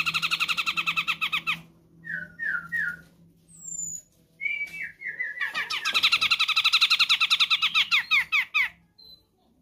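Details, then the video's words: Grey-cheeked bulbul of Sumatra in a tutor and trigger recording: fast chattering trills, three descending whistled slurs, a sweeping rising note, then a long loud rattling trill, over a steady low hum. "Masteran / Pancingan Burung Cucak Jenggot Sumatra"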